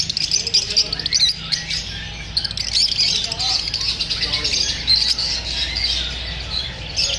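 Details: Lovebirds chirping after feeling unsafe from shooting: a busy chorus of high, squeaky chirps and twitters from many birds, continuous throughout, with faint speech and low hum underneath.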